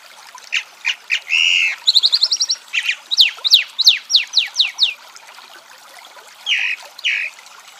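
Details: Chalk-browed mockingbird song from Brazil: varied phrases of sharp downslurred whistles, a rapid trill of repeated notes, then paired buzzy notes after a pause, with a faint trickling background.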